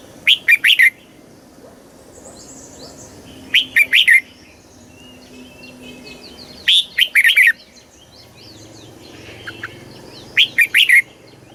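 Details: Red-whiskered bulbul song in the southern master style from Thailand, for exciting birds and teaching young birds: four short, bright phrases of a few whistled notes, about three seconds apart, with faint chirps behind.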